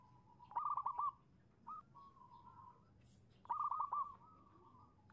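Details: Calling female zebra dove, a lure to draw a male to answer: two bursts of quick stuttering coos, each fading into a soft drawn-out tail, then a sudden loud note at the very end.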